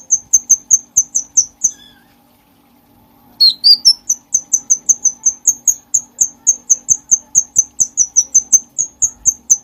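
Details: Bulbul singing, recorded as tutor song for other cage birds: rapid high chipping notes, a pause of about two seconds, then a sweeping note leading into a long even run of thin repeated chips.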